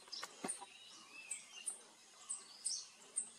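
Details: Speckled piculet at a Western Ghats bird campsite in India, 21 April 2022: thin, piercing high ticks given every half second or so, alongside a few lower whistled slurs over constant ambient noise.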